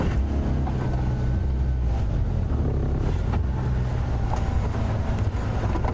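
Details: A vehicle engine rumbles steadily on an early-morning safari drive, with no animal calls audible.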